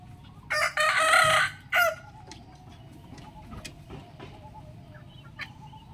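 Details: Rooster crowing in the morning: one loud, harsh, broadband crow lasting about a second, with a brief clipped final note, then quiet with faint clicks, low hum and a steady tonal background.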